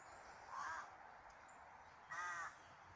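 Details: Outdoor nature scene with a bird giving two rasping caws, each under half a second, spaced roughly one and a half seconds apart against a constant soft hiss.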